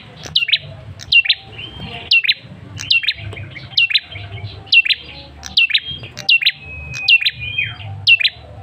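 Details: Male ashy tailorbird, a lure call used to provoke a response from other birds: sharp two-part notes, each dropping from high to lower, repeated about every second, with a faint low hum behind.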